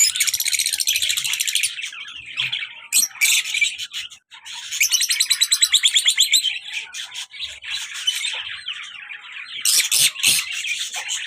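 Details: Active caged lovebirds, a colour male and a black-masked female, chattering almost nonstop: shrill, rapid, buzzy squeaking trills with brief pauses and a few sharp louder notes near the end.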